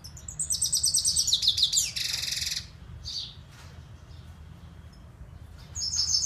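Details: Siberian goldfinch delivering a rapid twittering trill and a dense buzzy burst, then a pause with faint notes before another high trill begins.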